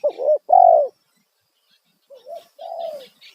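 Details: Spotted dove lure call used to attract wild doves: loud cooing phrases, a short double coo then a longer slurred note, repeated after a pause with a softer two-part coo and drawn-out note, faint chirping birds behind.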